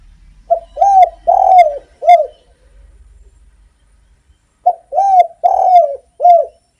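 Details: Spotted dove singing actively for luring other doves: two full phrases of soft coos, each two quick notes, a longer rolling coo, then a final short coo, separated by about two seconds.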